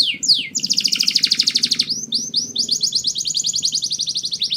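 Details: Mating song from a canary: a long, rapid, pulsing trill of high notes, broken by a brief swoop, then resuming as a slightly lower rolling trill.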